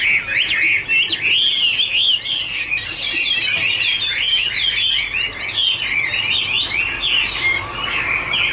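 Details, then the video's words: Duetting Chinese hwamei warble while dancing and flicking their wings: a steady, dense stream of varied, slurred whistled phrases, wavering up and down without pause, over faint low background noise. "Birds Garrulax canorus singing: dancing, duet fin wings, wonderful warble songs"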